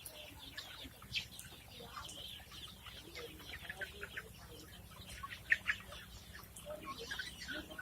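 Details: Several helmeted guineafowl (Numida meleagris) chatter with harsh, scratchy clucks in short irregular bursts over a steady low hum.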